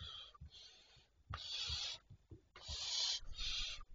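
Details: Barn owls at night, 25 May 2023 around 01:51: rasping, noisy hisses lasting about half a second to a second, separated by brief gaps, over faint knocking and scuffing sounds.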